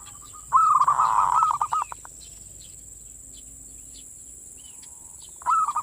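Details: Zebra dove giving its manggung song, used as a lure to rouse local zebra doves' breeding drive: a loud burbling coo phrase breaking into quick stuttered notes, a pause, then the next phrase starting; steady high whine throughout.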